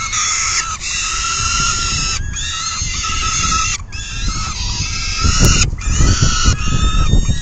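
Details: At a nest feeding on a June 2022 afternoon, peregrine falcons give drawn-out, rasping harmonic calls, sustained with brief breaks. Low rumbling noise rises in the later seconds.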